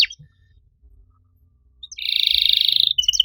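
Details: Master canary song for stimulating other canaries that have gone quiet: nearly two seconds of near-silence, then a short, dense, high buzzing trill followed by a few sharp chirps.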